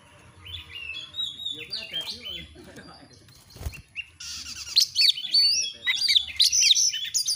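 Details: Oriental magpie-robin (kacer) song: first come lower, rough, chattering notes and a sharp click, then a loud stream of high, bright whistles and chirps fills the second half.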